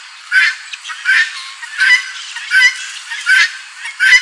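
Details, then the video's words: Helmeted guineafowl on a farm gives harsh, grating two-part calls, repeated about every three-quarters of a second in a steady series. "OUÇA O SOM DA GALINHA DA ANGOLA CANTANDO, CAPOTE, GUINÉ, COCÁ, TO FRACO"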